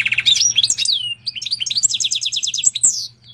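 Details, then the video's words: Canary crossed with Portuguese goldfinch in full song, chattering quick high notes into a rapid run of repeated chirps and sharp whistled flicks, fading at the end; a low hum underneath. "Pintagol de canaria x pintassilgo português canta muito!"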